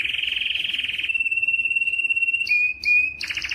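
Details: Canary song meant for training young birds: a rapid low rolling trill flows into a long pure whistled note, broken by short sharp chirps and ending in a quick trill.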